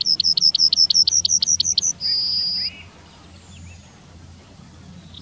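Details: Singing Yellowhammer, Wittlich town, 2019: a crisp, regular series of about twelve short high notes, then one long sustained note. Faint low hum continues through the recording.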